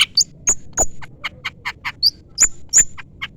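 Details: Long-tailed shrike calling to a rival: a jumble of harsh clicks and short piercing whistled notes, some upslurred, tumbling irregularly with no set rhythm.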